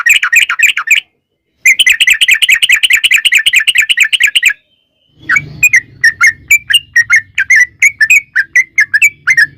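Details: Sooty-headed bulbul in a lure recording meant to make birds sing: two dense bursts of fast buzzy chattering separated by a short gap, then a quick string of sharp chirps over a low hum.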